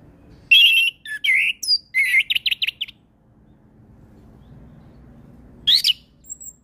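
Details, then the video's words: Orange-headed thrush in full varied song: loud whistled phrases and a rapid series of high, clear notes for about three seconds, then a pause before another sharp phrase. "Suara Anis kembang Gacor Full isian"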